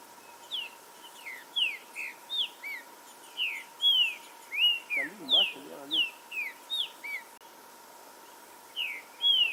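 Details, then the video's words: Green-winged saltator warm-up song in a forest, meant to stir aggressiveness and singing: clear whistled slurs, some rising and some falling, in uneven bursts with a pause near the end, a brief low wavering sound midway, and a steady faint hum. "ESQUENTAR TRINCA FERRO NA FLORESTA 🔥 DESTRAVA CANTO NA HORA"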